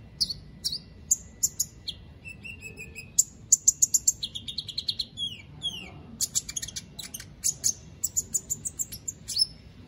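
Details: Caged white-rumped shama from Palu, Central Sulawesi, singing in an online song contest; loud separate high whistles and clipped notes, some sliding downward, in irregular phrases, with quieter low background noise.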